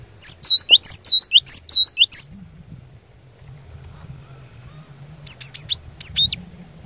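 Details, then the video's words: Cinereous tit lure bird singing to challenge rivals: a rapid run of clear two-note whistles, a quiet gap with low rumble, then a shorter, thinner series of high notes. "Kicauan Glatik Batu Pikat Gacor Door, Cari LAWAN...!!! Dijamin Cepat Bikin Glatik Lain Bunyi Gacor"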